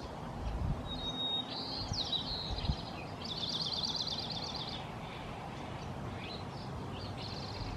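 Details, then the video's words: Oregon dark-eyed junco (Junco hyemalis) of western North America sings a fast, even trill of high repeated notes lasting about a second and a half, after a thin whistle and buzzy chirps, over a steady low rumble. "Dark-eyed Junco Singing (Oregon Junco)"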